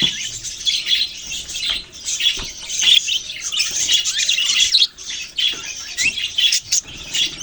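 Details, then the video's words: A group of budgerigars recorded November 6, 2023, giving a steady stream of bright chirps and squeaky warbles, punctuated by sharp clicks and short breaks. "Budgies beautiful colours and chirping sounds"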